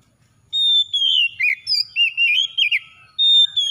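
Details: Oriental magpie-robin singing, a lure intended to get a reluctant magpie-robin going: a drawn-out whistle, then a jumble of quick looping whistled notes, and a fresh high whistle at the end.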